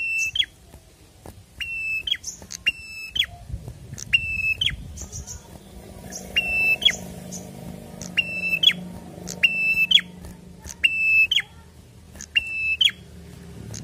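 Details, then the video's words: Prinia singing in the lively 'gacor fighter' style: about ten level, harmonic-rich whistles, each ending in a sharp upward flick, spaced roughly a second apart, with thin high chips between and a faint low hum beneath. "PRENJAK GACOR FIGHTER"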